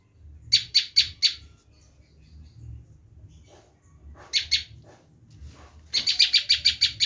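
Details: Bar-winged prinia screaming call, as used to lure wild prinias: a few brief groups of rough, buzzy notes separated by quiet stretches, ending in a rapid string of about eight harsh chips.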